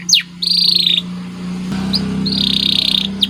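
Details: White canary singing a masteran training song, heard as two long, steady buzzy trills with brief sharp notes between them, over a constant low electrical hum.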